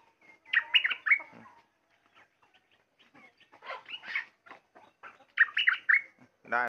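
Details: Sooty-headed bulbul kept at home, recorded 28 December 2019, giving short bursts of liquid, warbled notes. The phrases are separated by quiet gaps, with faint clicks and small background noises.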